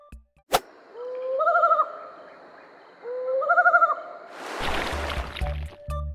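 An owl gives two clear, rising hoots with a quavering ending, spaced about two seconds apart.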